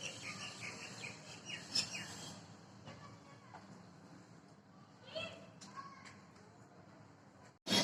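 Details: Two mynas give scattered harsh chirps and squeaky whistled notes, with louder bursts near the start and middle, over steady background noise and faint voices.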